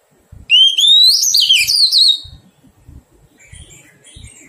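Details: A newly trapped wild Oriental magpie-robin during taming sings one loud, pure rising whistle that spills into a fast, jumbled warble. Faint high twitters follow, with soft knocks in the background.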